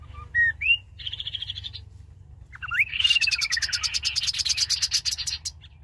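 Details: Rufous-capped babbler (Cyanoderma ruficeps) song used as a trapping lure: high whistled notes, then a long falling whistle over a fast run of pulsed chips.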